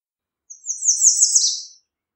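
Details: American redstart song, one high and thin phrase just over a second long: quick, sharply slurred notes delivered in a rapid series that builds in loudness and drops at the close.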